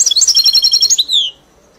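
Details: Caged European goldfinch, song tutored on a hybrid: a rapid twittering trill of high notes for about a second, then a single falling slurred note.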